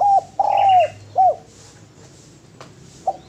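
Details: Cooing spotted dove: a brief coo, a long, smooth, slightly falling coo and a short arched note, followed by quiet and one faint final coo.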